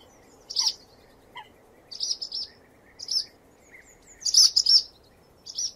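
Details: Swallow song: bursts of shrill high chirps about every second, some single, some doubled, mixed with soft lower slurred notes and a faint steady hiss behind.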